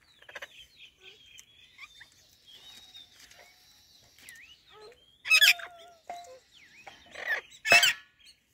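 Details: Indian ringneck parrots greeting each other: scattered thin whistled notes and warbled phrases, then two loud harsh broadband squawks near the end.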